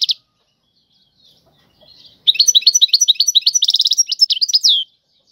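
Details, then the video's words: European goldfinch singing in the tiwawati song style: a short chip at the start, a pause, then a rapid two-and-a-half-second burst of high, liquid twitters and trilled notes that ends on a buzzy downslur. "اعظم تغريد الحسون طيواواطي"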